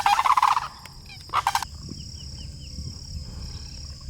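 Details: Sandhill cranes on a landing strip give two loud, rolling, rattled bugles, the first about half a second long. A steady high whine and faint small chirps carry on underneath.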